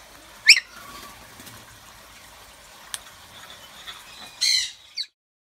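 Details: Two short, harsh, high screeches from a hand-raised pet galah at bath time, about four seconds apart, with faint rustling and splashing between them.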